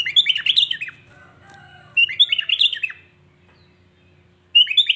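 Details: Sooty-headed bulbul in full song meant to provoke other bulbuls, giving bright, bubbly, fluty phrases of about a second, repeated every two to two and a half seconds over a faint low hum.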